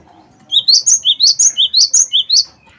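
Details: Cinereous tit (gelatik batu wingko), a strong singer played to coax other birds into song: after a brief pause, a quick, steady string of about ten high, ringing two-note whistles.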